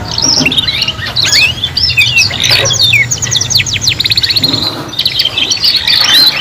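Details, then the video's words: Three young canaries practise song together: fast descending whistled sweeps and rattling trills, then a looser run of scattered chirps before the chorus swells again; soft low hum in the background. "KENARI PAUD BELAJAR BUNYI BARENG 3 IN 1 | CANARY SINGING"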